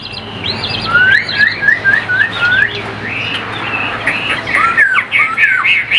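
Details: Captive Chinese hwamei sold in Vietnam sings a quick string of short down-slurred whistles, about four per second, followed by jumbled, energetic warbling phrases.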